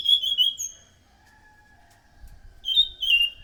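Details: Short snatch of loud Orange-headed thrush song, used as a lure for other thrushes: a whistled phrase, then near silence with a faint thin tone, then another clear whistled phrase.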